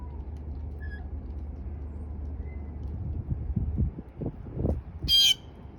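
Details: A blue jay gives a single short, harsh, raspy squawk, an unusual noise the recordist had never heard before, near the end after several seconds of low wind rumble and a few thumps.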